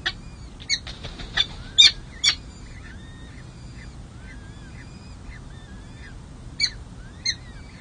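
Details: Peregrine falcon nest on San Jose City Hall, California, on 2 May 2024, during hatching and the first feeding of two chicks. A few harsh notes open and close the clip. Thin, faint whistled peeps fill the quieter middle.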